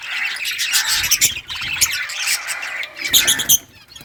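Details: Pet budgerigars in rare colour forms chirping while playing with toys, 18 June 2023; bursts of squawks and bright chirps among chatter, a few clear high notes, fading near the end.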